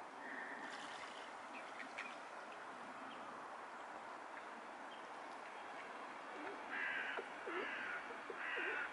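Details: Mallards during courtship display give three short, harsh, nasal calls about a second apart near the end, over a steady rushing background like wind or water.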